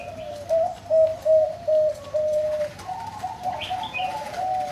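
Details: Zebra dove with a big, pleasing voice, kept at a bird farm, cooing a run of short pulsed notes that blend into a longer trilled coo, with another bird chirping briefly near the end.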